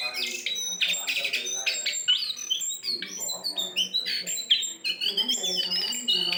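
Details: Jongkangan singing, a recording meant to lure birds: busy bursts of high, sharp chirps and short rising and falling whistles, interrupted by brief pauses, over a soft low background hum.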